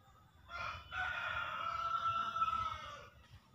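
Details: Green junglefowl from Java in a lure recording, used to prompt newly caught or quiet birds to call and to attract birds in the forest; one drawn-out crow lasting about two and a half seconds over steady low background noise.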